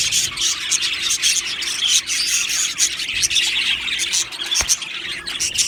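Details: Australian budgerigar colony in an aviary, described as happy: many birds chirping at once, high squeaky notes and rapid twitters, with a short sharp click near the end.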